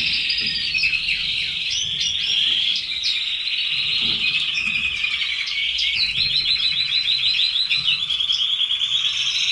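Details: Red canaries, pets, produce a steady stream of song: fast bubbling trills and chattering notes, with a clear high whistle partway through and long rolling runs later.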